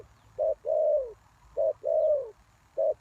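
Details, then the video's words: Spotted dove kept as a lure for wild doves, uttering two-part cooing phrases: a clipped low note, then a longer mellow croon that sags in pitch, repeated twice in quick succession. "The Cu Gáy Mồi Đất"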